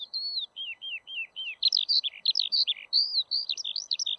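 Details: Eurasian skylark singing: a continuous flow of high whistled slurs and quick chirps, opening with drawn-out falling whistles, then rapid varied trills without pause, over a faint low hiss.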